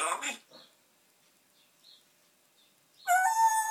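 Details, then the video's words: Pet parrot left alone indoors chatting to himself; a brief harsh voice-like burst, a long near-silent gap with faint squeaks, then a loud tonal, harmonic, slightly rising utterance at the end. "Talking parrot"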